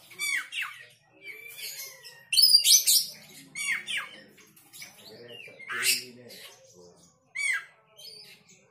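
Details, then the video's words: Oriental magpie-robin, agitated and calling along: rapid series of sharp chirps and harsh squawky notes, with brief gaps and a louder burst near the middle. "Kacer mana yang gak emosi dan ikut bunyi"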